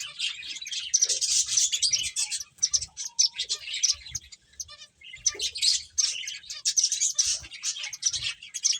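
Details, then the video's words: A flock of finches playing fills the air with bright rapid tweets in two busy waves separated by a short lull near five seconds. "Cute Birds Chirping Sounds | Beautiful Finches Playing"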